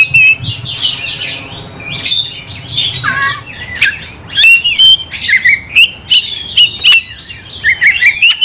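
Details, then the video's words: Oriental magpie-robin (kacer) singing loudly, meant to provoke another bird into a fight: rapid varied whistles, rising and falling notes, and harsh chatter packed closely, with a faint low hum beneath. "Kacer gacor bikin kacer ngamuk"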